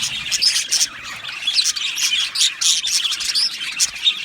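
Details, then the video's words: Australian budgies chirping and singing in an aviary colony, many birds calling at once in a busy, high-pitched chatter of rapid squeaky chirps and warbled notes, rising and falling in loudness. "Beautiful Australian Budgie birds aviary sound | Budgie singing and chirping sounds"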